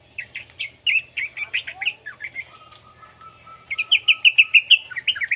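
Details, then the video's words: Juvenile yellow-vented bulbul, used as a prompt for other bulbuls to sing. Quick high chirps, then a thin steady whistle-like tone, then a rapid, evenly spaced chirp run at the end. "suara burung trucukan muda PALING AMPUH buat Pancingan trucukan agar BUNYI"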